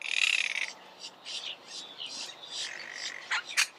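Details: Monk parakeet, also called the Argentine parakeet, giving a loud harsh squawk at the start, then softer scattered chattering notes and short screeches.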